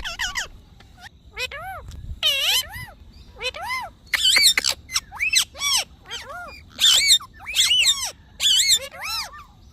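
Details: Talking parrot producing a long string of arched, speech-like syllables and squeaky bursts, some high and harsh, in rapid irregular succession over faint background hum.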